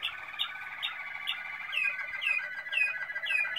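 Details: Malinois Waterslager canary recorded in 2016, singing a continuous rolling, bubbling trill with rhythmic repeated notes layered on top, steady throughout.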